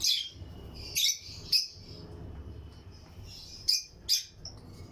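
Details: Sharp, high chirps from lutino lovebirds in a colony aviary, given singly or in pairs about half a second to a second apart, with quiet gaps and a low hum between calls.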